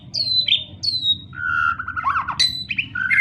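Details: Murai batu, or white-rumped shama, singing lure-style gacor song: two bright descending whistles, then lower drawn-out whistled notes and quick varied phrases, with a faint low background hum.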